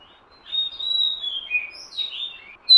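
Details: Oriental magpie-robin lure recording with soft, drawn-out whistled notes gliding downward, then a sudden loud note at the end.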